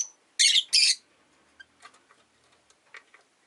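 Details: Two loud grating chirps in quick succession, then light ticks and rustling as caged Rosy-faced lovebirds jockey for perch positions. Five birds by a window with rain outside.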